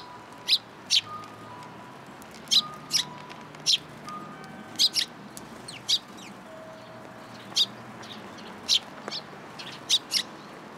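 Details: Sparrows that came after a person for food at a community hall, 26 February 2023, call with single and paired sharp, high chirps spaced about a second apart, alongside faint tonal beeps and hum.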